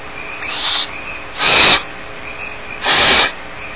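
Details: Barn owl chicks alone in the nest at Starr Ranch, begging with harsh, breathy hissing bursts. A faint one comes first, then two loud rasping hisses about 1.4 seconds apart, each lasting under half a second.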